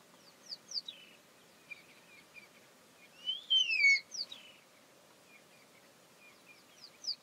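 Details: Young Verreaux's eagle-owl calling its parents from a tree in the African bush near Satara Camp on an early morning, wanting food. One loud slurred whistle falls from high to lower pitch, with fainter high descending notes before and after.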